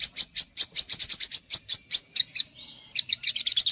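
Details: Olive-backed sunbird (sogok ontong) in a training recording used to spur untrained birds: rapid high twittering, sharp notes repeated about twice a second with short breaks, then a brief slurred whistle and a dense burst of chips.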